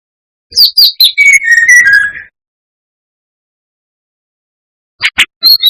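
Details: Song of a brown-chested jungle flycatcher used to lure and provoke rivals: quick clicks and high notes drop into sustained lower whistles. After a pause, choppy high notes start a new phrase.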